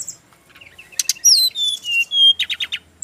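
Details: Bali male brown-chested jungle flycatcher gives two sharp clicks, then a clear descending series of pure high whistles, followed by a quick run of rough chattering notes.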